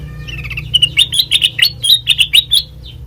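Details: Sooty-headed bulbul, recorded as a training lure for other birds, singing a lively series of about a dozen quick, liquid chirps at a bright pitch, roughly two per second at first, then fading with a final soft note.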